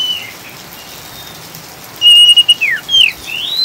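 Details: Oriental magpie-robin, a caged bird, in a lure recording with rain: quiet rain hiss for two seconds, then a loud level whistle, a steep downslurred note and rising whistles.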